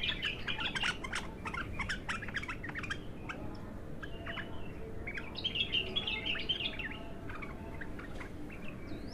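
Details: Bulbul, raw and untrained, singing for its first time: dense, fast chattering phrases of clipped notes, then a sustained, rolling warble. A final upward-sliding whistle closes the passage, over a low hum.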